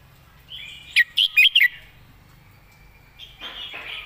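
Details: A tutor Red-whiskered bulbul, prized for clear wording and smooth phrasing, gives a tight run of four ringing whistled notes. Later comes a brief rustling burst, like flapping, and soft background birdsong.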